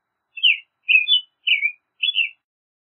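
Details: American robin caroling four brief whistled phrases at a steady pace of roughly two per second, each with a slight drop at the end; quiet background.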